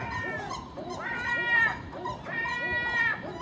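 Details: ['Common gulls raiding household garbage in the early morning among a magpie and a crow; two prolonged, whining, high mewing calls, each preceded by softer short notes.']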